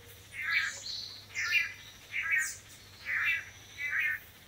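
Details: Male long-tailed manakins in Costa Rica taking turns in pairs at a lek display perch, courting females; five harsh, burry nasal calls repeated at roughly one-second intervals, with steady low background hum.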